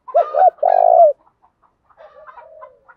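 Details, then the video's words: Decoy spotted dove calling to provoke rival doves to fight: a loud phrase of two quick hooked coos and a long rolling purr-like note, then quieter murmured cooing. "chim cu mồi thúc đấu, tiếng chim cu gáy kích bổi rất nhanh nổi gáy thúc"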